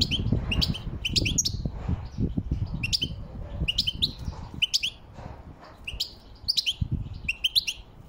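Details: Wild European goldfinch singing: bright, twittering bursts of short high chirps and sliding notes, some metallic, repeated in quick clusters roughly every half second, over a steady low rumble of background noise.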